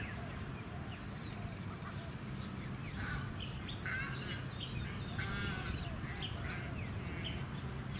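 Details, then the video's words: Dusky moorhen (Gallinula tenebrosa) at a small artificial lake on the Sunshine Coast, Queensland, December 2017, gives short, harsh clucking notes in a brief burst over wind rumble, suburban noise and a thin high whine. "Dusky Moorhen"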